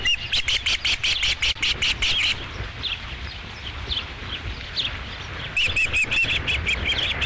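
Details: Dunrovin Ranch osprey nest, 5 July 2016, first fish: an opening rush of fast, shrill chirps, then a quieter stretch of background noise, then another short run of whistled notes near the end.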